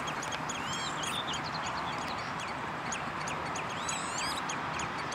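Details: Common redshank filmed on 11 June 2013 at De Wollebrand water storage, Naaldwijk, Westland, Netherlands: scattered high, wavering whistled notes, some bending up and down, over constant rushing background noise.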